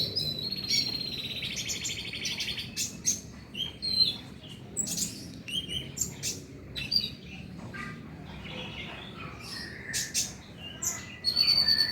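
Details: Van Hasselt's sunbird, a lure recording used to get a caged bird singing at night; a long jumble of high squeaky chips, short slurred whistles and clicks, with a buzzy ringing burst at the start and the end.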